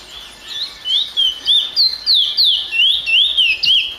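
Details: Song of a finch kept as a singing bird: a rapid string of bright, slurred whistles, each note swooping up then down, roughly three per second and evenly spaced.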